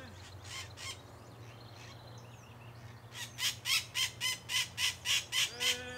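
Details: Macaws filmed at a rural smallholding in Brazil, giving a run of loud, harsh, raspy squawks repeated about three times a second in the second half, after softer scattered calls, over a low steady hum.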